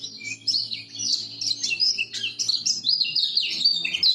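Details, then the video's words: Lemon-bellied white-eye from Lombok, meant to lure silent birds into singing: unbroken, energetic high twittering and warbling with quick rising and falling notes, over a faint low hum. "Masteran Kecial Kuning Lombok!!! Buat Pancingan Kecial Macet"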